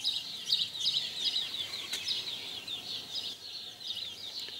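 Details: Mating house sparrows, recorded in 2020: a continuous run of sharp, high chirps, roughly three per second, uneven in rhythm, with a few faint clicks behind them.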